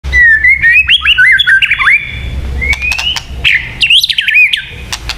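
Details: White-rumped shama song used for luring birds: loud, varied whistled phrases sliding and rising, with sharp clicks and chattering notes between them.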